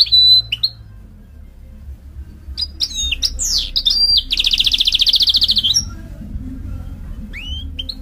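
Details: Mule goldfinch, a canary and goldfinch hybrid, sings in phrases: a clear whistled note, scattered sharp chirps and slurred notes, then a fast buzzy trill of about a second and a half, followed by a pause and a few rising whistles.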